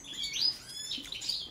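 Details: ['Short goldfinch phrase from a song check of the balcanica subspecies: a rising slurred twitter peaking in a clear high note, then fainter chirps.']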